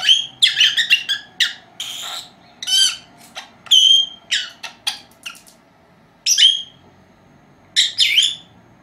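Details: Two four-month-old female lovebirds kept at home, napping: bursts of sharp, high squeaky chirps and short harsh squawks in irregular clusters, with quiet gaps between, in a small indoor space.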